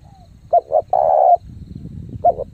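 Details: Fast cooing from a spotted dove used as a training lure: two quick soft notes then a long, steady hollow coo, with the next phrase starting as the clip ends, over a low rumbling background.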